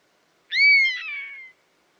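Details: A buzzard utters one long, cat-like mew that rises sharply and then glides downward, turning hoarse in its second half and lasting about a second.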